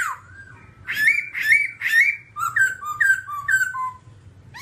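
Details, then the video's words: Babbler singing strong rising whistled notes, then a quicker series of short downward-slurred whistles stepping lower in pitch, over a low steady hum. "birds Timaliidae singing"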